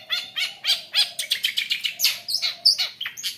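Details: Long-tailed shrike lure song, played to prompt shrikes that sing little into singing: a dense, fast run of varied high chirps, trills and sharp downslurred notes, about a hundred bursts a minute, with no pauses.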